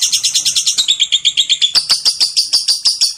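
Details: Lovebird in long ngekek ngetik chatter, used as a pancingan to provoke other birds: steady rapid series of shrill, sharply pulsed notes, about three per second-half, dropping slightly then rising again.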